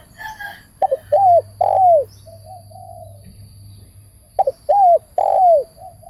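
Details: Spotted dove used as a trap-cage decoy repeating its phrase twice: two stuttered short notes followed by two long, falling, mellow coos, with quiet soft coos between phrases.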